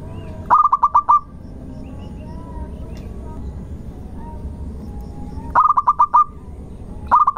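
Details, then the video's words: Local zebra dove used as a lure to make other birds sing, its rhythm loud and insistent at the start, long at the end and melodious in the middle: bursts of five or six rapid clear notes, repeated after long pauses, over a low background hum. "irama Tembakannya ngotot di awal panjang di belakang merdu di tengah pancingan Perkutut Lokal Gacor"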